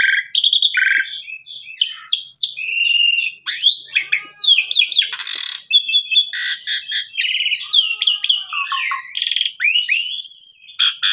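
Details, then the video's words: An Asian pied starling, used as a song tutor for canaries, sings a rapid, unbroken medley of clear whistles, slurred rising and falling notes, and harsh rasping bursts, with no pauses and no other sounds. "Pancingan Jalak Suren"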